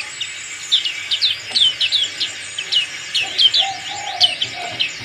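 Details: Black-capped white-eye, a fighter-type bird, singing with its crest raised: quick thin high chips and short downslurred notes in irregular bursts, with a few lower whistled notes from another source in the background.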